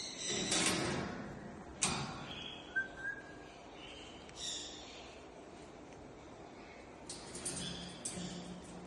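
A grey parrot gives harsh, rasping squawks, a brief clear whistle and several quick chattering bursts over about nine seconds. A steady low background hum runs underneath.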